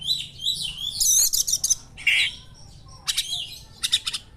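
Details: Oriental magpie-robin singing sharp small-bird material: a dense run of shrill chattering and a rapid ringing trill, then a harsh scratchy note, then brief clipped chip-bursts separated by short pauses.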